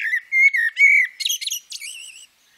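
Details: A female common blackbird gives level fluted whistles followed by brief twittering notes and a wavering thin tone that trails away.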